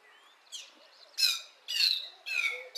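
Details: Lesser striped swallow singing early in the morning in a garden: a short run of harsh, nasal, slightly drooping twangy notes, about two per second, high-pitched and buzzy.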